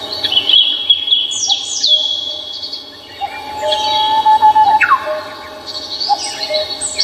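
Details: Namsan Mountain birds in Seoul singing together: bright high whistles, steep downward-sliding notes and a long level tone midway, with background hum throughout.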